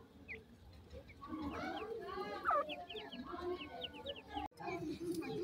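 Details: Young grey francolin chicks cheeping: many brief high downward peeps in loose bursts, mixed with lower muttering clucks and a brief sharp knock near the end.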